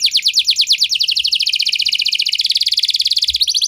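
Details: Canary singing in cengkok mewah style, an unbroken, fast, rolling trill of high chirps filling the whole stretch.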